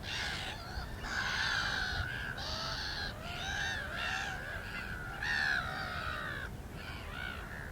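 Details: Black-winged stilt: a dense, loud run of nasal, yapping calls, overlapping and slightly rising then falling, suggesting several birds calling together with almost no pause, over low background rumble.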